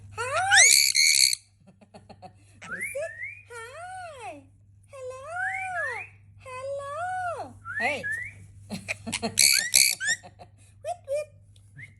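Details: A pet sun conure talks in a room, giving a run of arched, whistled, speech-like phrases that rise and fall, with a few shrill screeches, one hoarse burst at the start and a steady low hum underneath.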